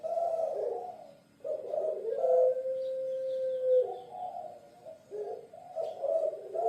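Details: Low rolling coos from a puter pelung dove of Java, Indonesia, stretching into a steady drawn-out note of about two seconds before choppier cooing resumes.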